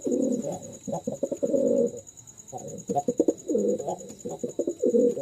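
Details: Male pure Jalali pigeon, part of a pair offered for sale, kept indoors, repeating low throaty coos mixed with quick clipped notes, over a faint continuous electrical hum.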